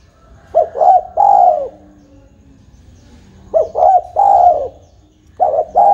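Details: Spotted dove (terkukur) cooing, played as a lure to draw other birds into calling: soft, low, hollow coos in short phrases of two quick notes and a longer drawn note, repeated about every two and a half seconds.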